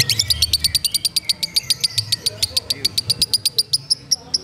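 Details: Lovebird giving a nonstop ngekek konslet chattering song: a long run of sharp, high, rasping notes at about seven per second, steady and unbroken, over a faint low hum.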